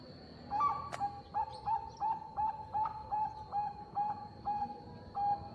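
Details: Bangkok-line zebra dove in full song, used as a lure to draw answers from other zebra doves: a steady run of about a dozen short, soft cooing notes, evenly spaced roughly three per second, over a constant high electronic whine.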